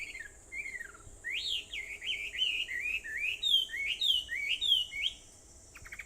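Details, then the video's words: Early-morning birds on Aobayama, Sendai, Japan, 21 July 2014 at 4:30: a lively run of loud upslurred whistled notes, roughly three per second, with softer chirps overlapping and a steady shrill hum underneath. "Sound of Birds on Aobayama, Sendai, 2014.7.21 (4:30)"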